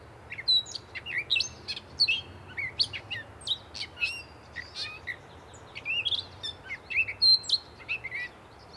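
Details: A gray catbird sings on and on, stringing together quick high squeaks, chips and slurred twitters with no fixed pattern. Each note is brief, and a soft low rumble runs in the background.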